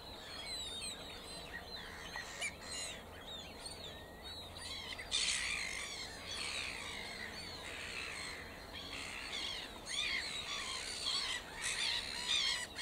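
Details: Mallard ducklings in Worcestershire, England, UK, keep up a dense chorus of thin, high peeps, many overlapping and repeated quickly, with a soft outdoor background hum.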